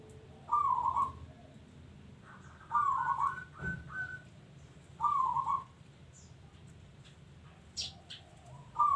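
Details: Local zebra dove singing actively: rolling, trilled cooing phrases near one pitch, each about half a second, repeated roughly every two to three seconds, with faint background chirps and low hum.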